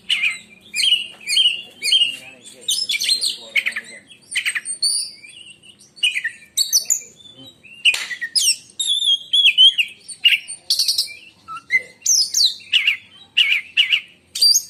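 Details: Caged oriental magpie-robin of the black-and-white kacer type in Indonesia, delivering a long run of 'menyambar' song: repeated whistled phrases, dense chattering trills and sharp high notes, nearly continuous throughout.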